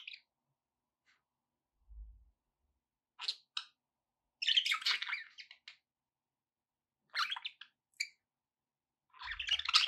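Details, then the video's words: Budgerigars chirping, played to encourage pet parrots to eat and sing: bursts of buzzy, scratchy chatter and short chirps separated by silent gaps, with faint low thumps. "budgie sounds to encourage your parrot to eat and sing"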